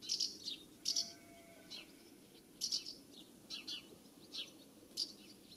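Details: House martins flying around the nest site in the UK in summer, giving sharp chirruping calls in short clustered bursts roughly every second, with soft twitters between them and quiet background hiss.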